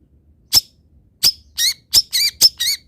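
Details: Long-tailed shrike song for tutoring other birds: sharp high clicks alternating with nasal, wavering squeaky notes in quick succession, with a faint low hum.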